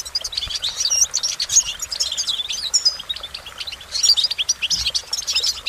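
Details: Goldfinch song made of bright, high twittering phrases and sharp whistled chirps, with a brief lull near the middle before resuming.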